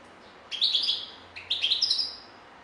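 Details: European goldfinch singing: two bright, twittering phrases, each about half a second to a second long and made of quick, tinkling notes, separated by a short pause, over a faint steady hiss.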